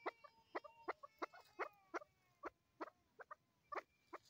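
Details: Female chukar partridge calling: a string of sharp, harmonic clucking notes about three per second, uneven in spacing, with faint thin tones lingering behind them.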